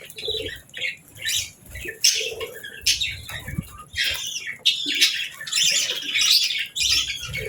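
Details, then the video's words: Real budgies, including a female, chirping gently in calm morning light while eating and bathing; dense bursts of high, scratchy twittering notes in irregular clusters, with soft lower chatter underneath. "Bird Sounds for Relaxation & Stress Relief | Real Budgies Enjoying Morning"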